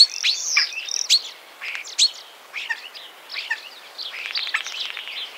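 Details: Common starling (Sturnus vulgaris) song of clipped squeaks, clicks and brief whistles in scattered bursts, loudest at the start and fading into softer chatter.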